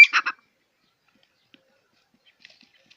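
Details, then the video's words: Quail (batair) from Punjab, Pakistan, where the birds are farmed or kept as pets and their call, known as kirk, is prized: a loud, rapid burst of three short pulses at the start, then near silence with faint ticks. "batair sound"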